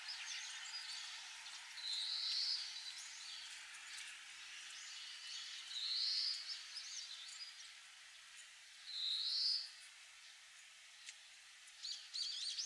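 Grey-capped greenfinch song: three short, high twittering phrases a few seconds apart, each with a quick rising flourish, over a steady hiss of background noise.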